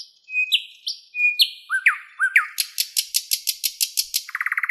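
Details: Song of a wild thrush nightingale in Moscow's park on 11 May 2016, early morning: repeated whistles sliding between pitches, then a long series of sharp rhythmic clicks ending in a faster lower rattle.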